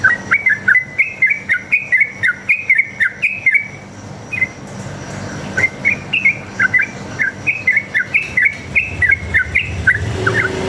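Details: Wild yellow-vented bulbul delivering a long continuous fighting 'ropel' song, recorded as a lure to make other bulbuls respond. Loud bubbly whistled notes repeat rapidly, broken by a short pause, with sharp clicking ticks alongside.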